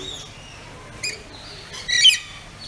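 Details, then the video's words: Pet rainbow lorikeets, kept as talkative pets and shown playing, whistling and eating. Two short, harsh, high squawks sound about a second apart over a quiet background hiss. "Rainbow Lorikeet Making Calls"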